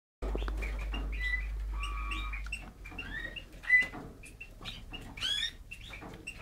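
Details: A brown pastel male Eurasian bullfinch gives a soft, halting song of short piping whistles and creaky chirps, with a few brief drawn-out notes, over a low steady hum.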